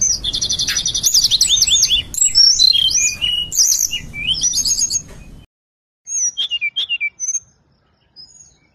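A Hill Blue Flycatcher sings a rapid, high, sweet run of whistled trills and slurred notes, then a short pause before a few thinner phrases.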